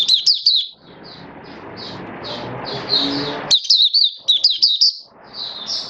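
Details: Oriental white-eye kept for song, build-up form, 19 September 2022: sharp high chirps open and close the passage, while softer twittering continues beneath a broad hiss of background noise in the middle.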